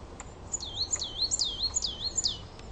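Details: Coal tit in the garden singing a looping variation: four or five high notes, each falling then rising in a smooth swing, repeated rapidly over two seconds.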